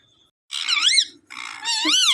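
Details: Parrot talking in two wavering, warbled phrases, each rich in harmonics and bending up and down, separated by a brief pause.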